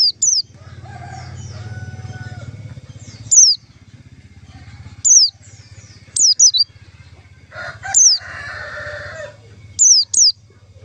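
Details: White-eye lure call used for trapping: thin, very high downslurred notes, often in pairs, given every couple of seconds over a low steady hum and a faint lower tone.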